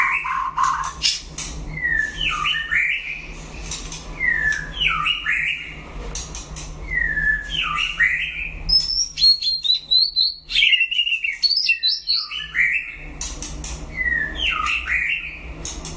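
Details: Dueling white-rumped shama answering a rival with clear whistled phrases repeated about every two to three seconds, each with a swooping slide, mixed with higher thin notes and clicks; low hum underneath.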